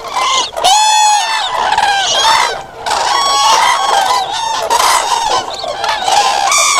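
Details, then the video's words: Common cranes trumpeting en masse after a brief lull near the start, a strong ringing bugle at about one second, then dense overlapping harmonic calls rising and fading. "Common Crane musical chords"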